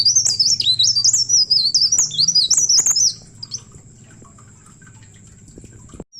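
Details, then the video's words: Leaf warbler song meant to prompt other birds to sing: about three seconds of quick, thin, looping whistled notes. It stops abruptly, leaving a faint steady high tone and low background hum. "Cikrak DAUN Receh Pancing Bunyi Burung Lain"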